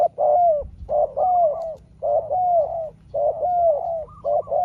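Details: Spotted dove in a long back-and-forth with a rival wild dove: soft hooting coo pairs, a brief note and a drawn-out falling one, following one another almost every second over a faint low hum.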